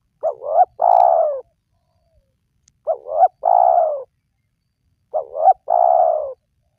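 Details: Spotted dove cooing, meant to draw wild doves into calling. It repeats three times about every two and a half seconds, each time a pair of short rising hoots and then a long, slightly falling coo. The surroundings are otherwise quiet.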